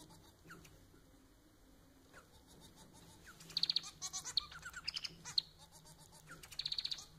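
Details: Pet society finch (Manon) singing to encourage pet birds: a few isolated soft notes, then a rattling trill followed by varied buzzy twittering and slurred notes, closing with another quick trill.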